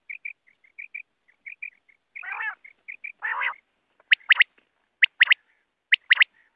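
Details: A wild quail call used when hunting quail with nets. Soft paired chirps open the recording, followed by two raspy nasal growls. Loud, sharp three-note phrases then repeat at about one-second intervals.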